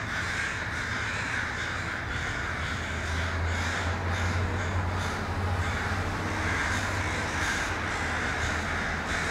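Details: Crows gathering in a tree in Vancouver, Canada, filmed with an iPhone 5S: a thick chorus of scratchy overlapping caws continues throughout, accompanied by a noticeable low rumbling hum in the background.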